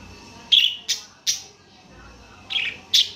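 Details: Budgerigar chirping in short bursts: three quick sharp chirps, a pause of about a second, then two more bright chirps, with a low steady background hiss.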